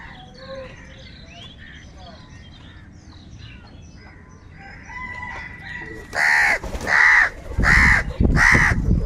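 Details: Crow calling: after several seconds of faint, thin chirps from small birds, four loud, harsh caws come in quick succession near the end, each a short, rough burst.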